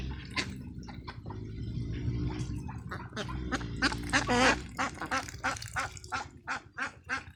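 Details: Farm ducklings jumping through a field, a quick series of loud, gravelly quacks, several per second, rising to a strong burst midway, with a low hum and splashy noise behind.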